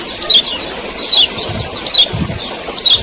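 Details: A male Common iora's 'ciak ciak' call, meant to stir other ioras into song: four crisp, downward-sliding squeaky notes at steady intervals of about 0.8 seconds, with little background noise besides a soft low murmur.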